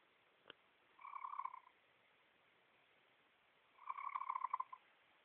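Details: Pet chicken sitting on its owner's lap indoors, giving unfamiliar noises: two soft, pulsed trilling bursts, each under a second, with a brief click before the first.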